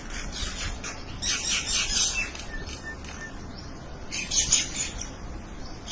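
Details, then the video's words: Birds calling to one another: bursts of high, thin chirps and twittering, loosest around the second and fourth seconds, with a faint steady hiss of wind or distant noise behind. "Birds | Talking with Each other."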